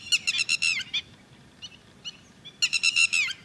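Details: Red-wattled lapwing (Titodi) at Thol bird sanctuary: two bursts of sharp, strident notes in rapid series, separated by a quieter gap with a few isolated notes, over faint low background hum.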